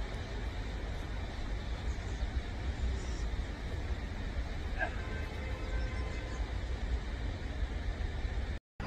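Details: Steady low road and vehicle rumble with faint background hiss fills the recording, and no animal voice stands out.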